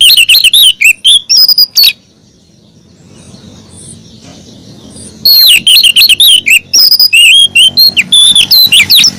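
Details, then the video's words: Female oriental magpie-robin calling the male: loud bursts of whistled, warbling notes sliding between high and mid pitch, about two seconds of chattering phrases, a quiet pause, then another run of varied whistles. "Pancingan siulan kacer betina memanggil jantan"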